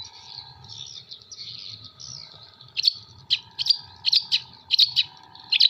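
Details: Long-tailed shrike from Jember in mimicry song of kuntilanak, sparrow and tengkek buto material: warbled wavering phrases give way to sharp, clipped high notes at uneven spacing, with a constant low hum.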